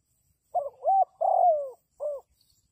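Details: Spotted dove used as a decoy for trapping: two short rising coos, then a long drawn-out coo falling in pitch, and after a pause one more brief coo. The setting is otherwise quiet.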